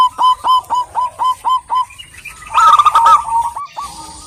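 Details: A female local wild zebra dove calls a male with eight clean hooked notes at a steady four per second, then a rougher loud flurry and a few trailing coos.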